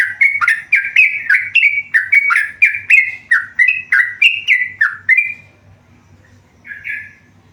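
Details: Tame yellow-vented bulbul singing vigorously: a rapid run of bubbly, slurred notes, rising and falling, about three per second for five seconds, then a pause and one last short phrase; faint low hum underneath.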